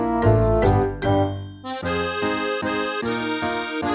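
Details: Lively accordion music with quick, evenly repeated chords and a bouncy rhythm; no animal voice is heard.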